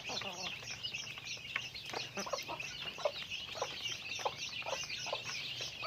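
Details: Chickens going about their daily activity: short, repeated low clucks scattered through the clip under a constant dense layer of high, chattering chirps.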